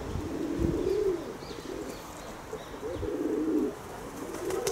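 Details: Pet pigeons giving deep, burbling coos in two main bouts about two seconds apart, with a soft hum beneath and faint clicks.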